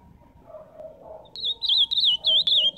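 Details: An ultramarine grosbeak sings live, starting after soft low murmuring: a clear, high, rolling warble of looping whistled notes, delivered in two quick bursts.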